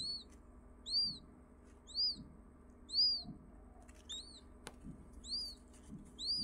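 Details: Newly hatched quail chick, India: clear high-pitched arched cheeps repeated roughly once a second, each note rising and dropping, with soft low thumps and a brief click between calls.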